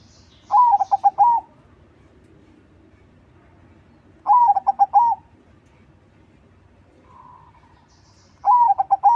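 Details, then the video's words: Crossing-style zebra dove song played to lure wild doves: three loud rolling coo phrases roughly four seconds apart, each a short trill of even pulses ending in a held note, with a softer distant coo between and low background rumble. "SUARA PERKUTUT CROSSING GACOR TERBAIK UNTUK PANCINGAN"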